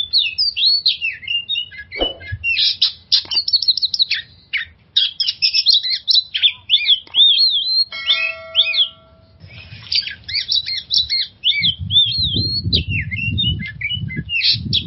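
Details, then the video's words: Oriental magpie-robin song used as a lure to relieve stress in kept magpie-robins: long varied stream of whistles, chips and rattles, a short tonal tone mid-way, low rumbling noise toward the end. "suara pancingan burung kacer untuk mengatasi stress"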